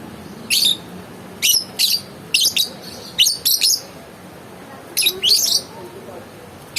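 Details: Lovebird calling in piercing, harsh chirps, single and paired bursts spread irregularly over nearly seven seconds, some notes rasping and clipped, with faint low room noise beneath.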